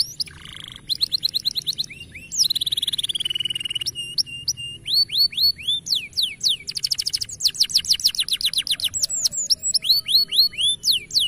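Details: Energetic canary song mixing dense buzzy trills, a long rolling run of high notes, and many fast upswept whistled phrases repeated in series, continuous and loud throughout with little pause.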